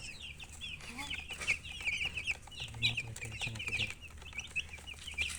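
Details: Baby chickens chirping: a dense run of thin, high, downward-slurred peeps from several chicks, overlapping almost without pause over a low steady hum and background noise.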